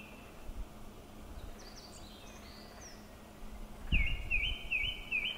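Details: Japanese thrush in song at Kubokawa Ihatov, Japan, recorded in May 2019: after soft distant chirps, a sudden bright phrase of wavering, looping whistles repeated four times, with a thump and a faint low hum.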